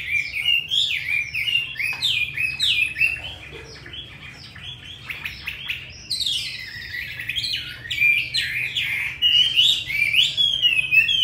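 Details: Caged hwamei in Hanoi, Vietnam, praised for a fine wild-style voice, sings a rapid, varied string of loud whistled phrases that swoop up and down, barely pausing, with a brief quieter stretch midway.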